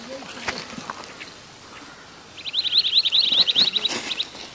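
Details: In a Kashmir forest, a long-tailed minivet gives a rapid string of sharp, high rising notes lasting nearly two seconds, after a stretch of background clicks and rustle.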